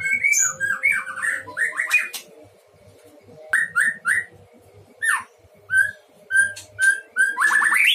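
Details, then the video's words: White-rumped shama kept at a breeding pen singing in spirited fashion: rapid varied whistled phrases, then spaced single slurred notes about once a second, ending in a fast descending trill; faint low background hum. "Murai batu gacor di kandang ternak"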